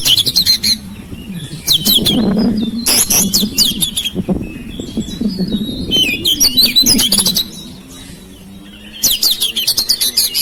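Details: Home-kept oriental magpie-robin singing to draw out silent birds: bursts of high, varied chirps and whistles come in clusters, over a lower humming background.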